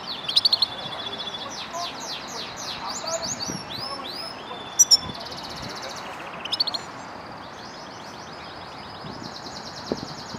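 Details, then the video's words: Caged European goldfinch in a custom wooden cage, recorded for singing training, pours out a fast, tinkling run of high chirps and down-slurred notes, broken by occasional sharp clicks and brief pauses, over faint background hiss. "GOLDFINCH 1h singing training"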